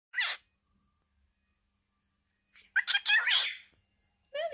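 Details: A cockatiel (Nymphicus hollandicus) mimics human speech in short, raspy, chattering phrases broken by pauses.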